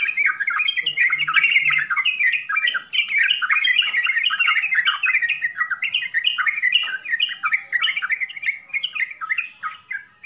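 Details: Yellow-vented bulbul song in 'full isian' style, about three notes a second in a rapid, irregular chatter of short warbled and chirpy phrases, continuous over ten seconds.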